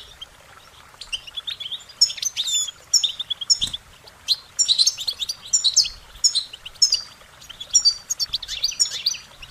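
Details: Singing goldfinches deliver steady clusters of sharp, high twittering notes, repeated roughly every half second to second in a cheerful, jangling run.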